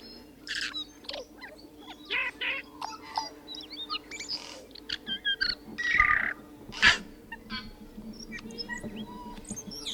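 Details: Tui singing a long, jumbled phrase mixing high clicks, crackling broadband bursts, brief pure whistles and a few wheezy notes at irregular intervals. A steady low hum sits in the background.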